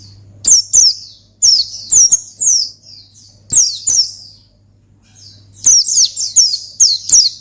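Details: Provoking song of an Oriental white-eye in ngalas style, aimed at calling a rival: bright, high chirps slurring downward, delivered in bursts of several notes with a quiet stretch of about two seconds midway, over a faint hum.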